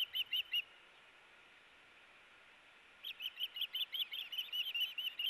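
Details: Ospreys in a fish tug-of-war at a nest, 4 August 2018: three quick shrill chirps, over two seconds of quiet, then a renewed rapid burst of high whistled notes.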